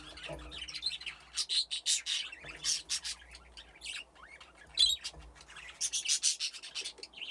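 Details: Budgies kept in an aviary with nesting boxes, a flock grown from two original pairs, playing together: busy, bright chattering chirps in rapid bursts, repeated in waves across the whole stretch.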